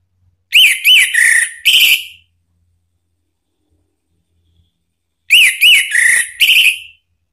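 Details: Orange-headed thrush (anis merah) song played as a lure to provoke another bird into singing: two identical bursts of four loud whistled notes, rising and falling slurs, separated by about three seconds of silence.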